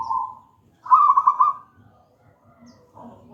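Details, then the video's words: Local wild zebra dove of the gedang rojo kind, used as lure song: the tail of one coo, a silence, then one loud vibrating trilled phrase, followed by faint softer notes. "Perkutut lokal gedang rojo gacor merdu bird voice"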